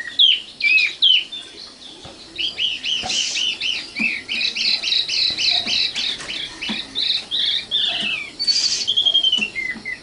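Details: Common nightingale, locally called sikatan londo, pouring out varied song: a few whistled opening notes, then long runs of rapid repeated chirps in pairs, ending in a high rattle and falling whistles.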